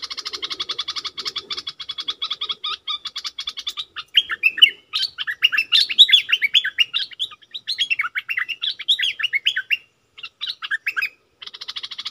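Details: Bulbul kept as a decoy, calling to wild birds: rapid buzzy rattle for several seconds, then a run of varied quick whistled and slurred notes, then the rattle again.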